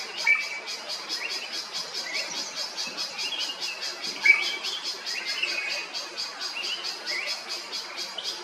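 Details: A drongo in Kerala, India gives short, sharp metallic notes every couple of seconds over a steady, pulsing insect chorus.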